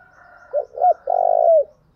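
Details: Spotted dove singing a lure song used to stir up and attract wild doves. A short phrase of two soft rising coos leads into a long, loud, steady hollow coo that drops at the end.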